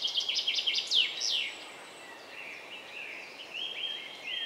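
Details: Song thrush, parents bringing food to four young about 10 m high; a quick series of sharp repeated notes and steep downward sweeps, then quieter drawn-out whistles against background hiss.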